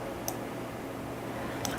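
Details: Blacksmith lapwings calling at a dam during a sunset safari drive on 23 January 2022, giving two sharp, metallic clinks about a second and a half apart, like a hammer on an anvil, over a low steady hum.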